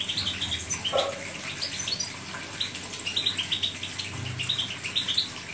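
A European goldfinch sings a quick, tinkling twitter of high, bright chirps in short bursts, over a steady hiss like running water.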